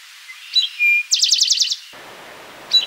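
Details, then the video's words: Eastern towhee song recorded in June 2013 at Rondeau Park: a high chip, then a lower steady whistled note, followed by a rapid rattling trill of repeated high notes, with a lone chip after a pause. "Eastern Towhee"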